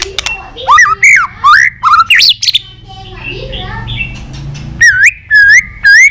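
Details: White-rumped shama singing a competitive, multi-voiced song: rich looping whistles rising and falling, a softer warbled middle passage, then three strong upslurred whistled notes.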